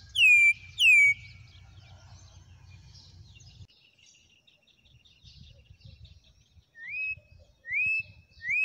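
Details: Wild campo troupial (corrupião) from Brazil: two loud upslurred whistles open, then a quiet pause with distant faint chirps, before three more rising whistled notes return near the end.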